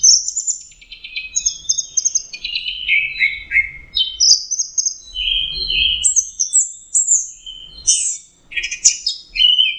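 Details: Orange-headed thrush singing in an intense, trance-like state: rich, continuous high whistled and chattering phrases tumbling one after another with hardly a pause, and no other sounds.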